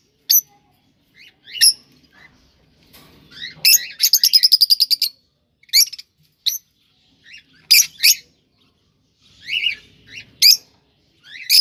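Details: Cockatiels kept as pets, sounds meant to stimulate breeding: short sharp chirps and upslurred whistles scattered through the clip, with a rapid buzzy trill of about a dozen pulses near the middle, quiet gaps between bursts.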